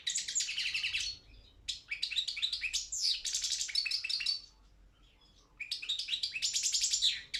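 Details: Balkan goldfinch (Carduelis carduelis balcanica) entered in an online world goldfinch song championship: long bursts of fast, bright twittering and buzzy trills, broken by two short silent gaps before the chatter resumes.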